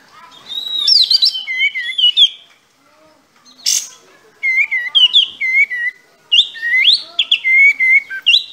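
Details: Sooty-headed bulbul in full, vigorous song with tail fanned: clear whistled phrases that bounce between mid and high notes, repeated in bursts separated by short pauses, with a brief noisy hiss partway through.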